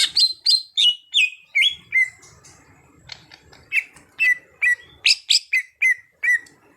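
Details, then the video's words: Greater green leafbird under training to sing actively: a lively series of loud, bright, slurred whistles, many dropping in pitch, about two and a half per second, with a short pause midway. "Cucak Hijau Bahan jadi Gacor"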